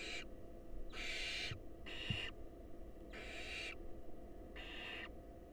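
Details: Harsh, broadband hissing screeches from wild barn owls at a nest box during a feeding, the male bringing a mouse that the female passes to a nestling; five evenly spaced bursts about a second apart over steady low hum.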